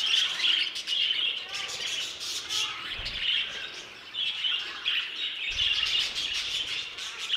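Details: Flock of budgerigars housed in an aviary, an unbroken babble of high warbled notes, chirps and clicks from many birds, with occasional low bumps.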